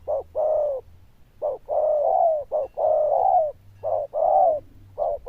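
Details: Zebra dove prized for a loud bell-like đồng chuông voice and good cooing: rapid, closely linked cooing phrases, short notes alternating with drawn-out wavering coos, strong and near, little else audible.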